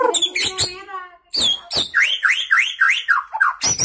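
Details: Young white-rumped shama freshly out of juvenile plumage, caged, giving sharp chips followed by a steady series of about eight rising, slurred whistles repeated roughly three times per second.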